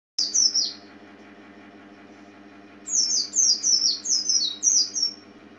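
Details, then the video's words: A small yellow-green white-eye, a pleci kept as a songbird, sings thin, very high twittering notes: one brief burst, then a quick run of about six sliding chirps, over a faint steady low hum. "Kicau Burung Kacamata Mungil Cantik"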